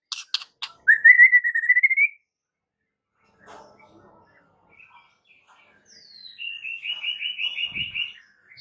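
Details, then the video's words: White-rumped shama masteran meant to prompt a response: a few sharp clicks, a rising drawn-out whistle, a quiet gap with faint noises, then a fast, rhythmic, trilled series of repeated notes. "7 DETIK AUTO RESPON MURAI BATU ANDA DENGAR MASTERAN MURAI BATU SATU INI"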